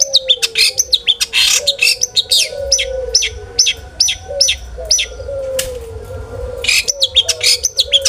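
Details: Long-tailed shrike in full, varied song, used to provoke other shrikes to sing: a fast, jumbled stream of sharp chips, scratchy notes and whistled snippets with short pauses, over a low, steady, wavering tone.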